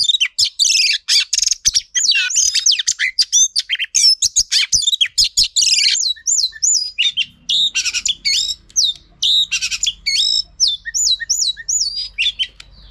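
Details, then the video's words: Rich, fast Oriental magpie-robin singing linked to a female used to spur males: dense runs of whistles, trills and chattering notes, later clear looping upslurred phrases repeated in quick succession, with faint low hum behind. "Choè than mái kích trống hay nhất"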